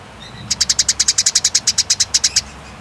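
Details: Eurasian tree sparrow during a fight, delivering one long, clear rattle of about eighteen evenly spaced, sharp, high chips over two seconds.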